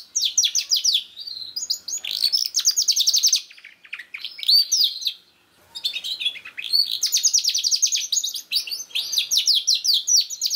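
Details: Canary song meant to prompt a young, not-yet-singing canary: bright rapid trilled tours, rising and falling whistled slurs, rolling chattering runs, one short gap near five seconds before the song resumes.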